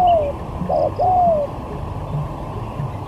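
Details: Spotted dove lure in a singing skill match, styles from sigagap to jergot: a drawn-out, slightly falling coo, a brief clipped note, then another long descending coo, followed by quiet background murmur.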